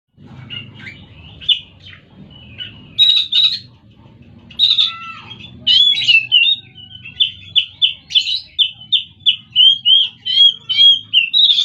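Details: Oriental magpie-robin song: scattered high chirps and short whistles at first, then a fast run of bright, clipped notes repeated about three times a second. Faint low hum underneath.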